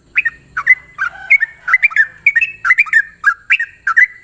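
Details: A sooty-headed bulbul sings its long 'ropel' song in the morning: short, chirpy whistled notes, several with a drawn-out level tail, come in pairs and small clusters, with faint low murmurs and a high hiss in the background.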